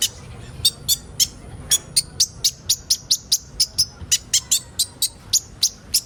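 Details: Sunbird, locally kolibri ninja, in a recording used to bring young birds into song: sharp, very high chips repeated steadily about three times a second, evenly spaced over faint background hiss.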